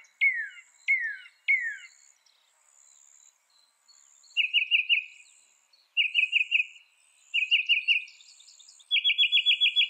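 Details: Mockingbird singing a varied song: three sharp descending notes, then several bursts of rapid trilled phrases repeated in groups, each phrase changing pattern, with insects buzzing faintly high in the background.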